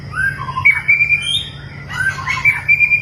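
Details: Long-tailed white-rumped shama kept for mental training, delivering clear whistled notes that slide and hold steady, interspersed with short chirps in two bursts, steady low hum beneath.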